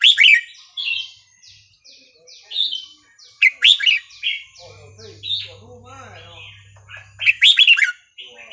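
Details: Burmese-style red-whiskered bulbul song, 3-4-5-6 pattern, used to teach young birds: bursts of bubbly, slurred whistles recur through the stretch amid busy background chirping, with a brief low hum midway.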